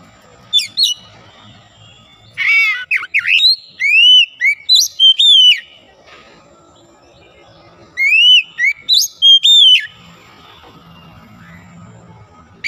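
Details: Oriental magpie-robin, recovering from reluctance to sing, delivers two separate bursts of rich, varied song: rapid slurred whistles, trills and sharp downward notes, with quiet pauses between phrases.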